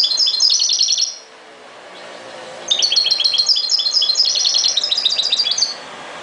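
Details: European goldfinch (chardonneret) singing in a style labelled ghoroub: bright, rapid tinkling twitters in two bursts, a short phrase then a longer run of quick repeated liquid notes, with a brief pause between and a quiet background.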